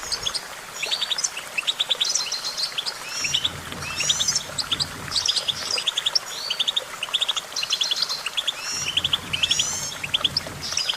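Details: Extended goldfinch song: continuous fast twittering, clusters of high chirps and liquid buzzy trills repeated every second or so, several singers overlapping, with occasional low background hum.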